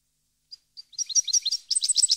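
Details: European goldfinch singing, 2015: two isolated thin notes open, then a quickening jumble of high twittering phrases builds to a dense, bright chatter.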